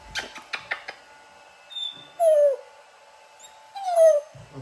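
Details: A female African grey parrot, a pet, imitates the household dog crying: two drawn-out, falling whimpers about a second and a half apart, after a few soft clicks and taps.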